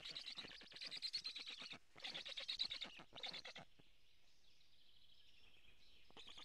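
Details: Nestling black storks begging for food, Karula, Estonia, nest camera, 2 July 2017 around eleven in the morning: loud buzzy stuttering bursts in three runs, then a thin high whine and quieter background before the calls return.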